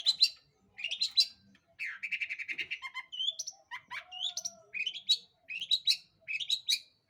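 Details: Active long-tailed shrike song, played as a lure so other birds sing: warbling, twittering phrases mixing rising high notes, buzzy rapid series and clear whistled slurs, delivered in rhythmic bursts.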